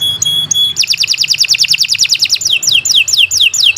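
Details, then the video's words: Singing canary: three clear, steady whistled notes, then a quick dense trill and a string of downward-sweeping whistles repeated about three times per second. "Kicau Burung Kenari 122 II LUAR BIASA GACOR PANJANG Cocok untuk Masteran"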